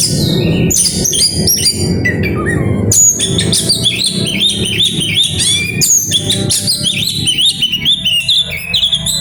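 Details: Grabakan-style kacer (oriental magpie-robin) song with isian: a short pause after the opening notes, then a long dense run of high chattering whistles and rising slurs over a low rumbling background.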